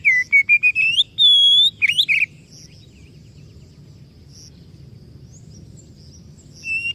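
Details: Oriental magpie-robin bursting into gacor song: quick rising whistled notes building to a long high whistle and twisting slurs, followed by about four seconds of near quiet with faint high tones before a whistle returns.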